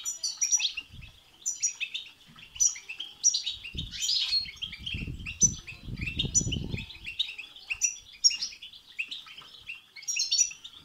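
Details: European goldfinch song played to stimulate a goldfinch to sing: fast twittering phrases, tinkling high notes and buzzy trills repeated throughout, with low fluttering or rustling bursts underneath.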